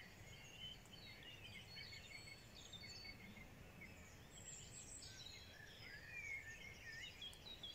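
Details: Birdsong on a spring morning: a busy mix of distant chirps, short whistles and trills from several birds, plus one clearer rising whistle near the end, over noticeable low-pitched rumbling background noise.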